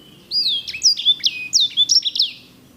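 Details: Sanger bird singing loudly and clearly: a rapid string of about eight high whistled notes, each a bright slur dropping sharply, delivered as one fluent trill-like phrase.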